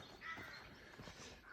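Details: At the Gannel Estuary near Crantock village, in woodland where crows nest during the courting season, a Carrion Crow gives one harsh, hoarse caw early on, fairly distant, against a soft outdoor background with a faint hint of human voice.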